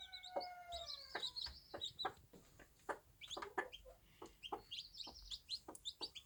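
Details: Bantam mother hen out with her chicks on a small farm, giving soft clucks among many high, wavering chick peeps, some drawn-out and falling, others short and repeated.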